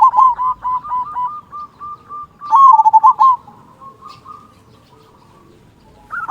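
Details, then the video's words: Local zebra dove with a big 'kung' voice, used as a lure to get quiet doves singing: soft rolling coos near one pitch, then a loud burst of rapid bubbling notes that fades into quieter cooing. "Perkutut Lokal Gacor Suara Kung Besar Pancingan Burung Perkutut Agar Bunyi"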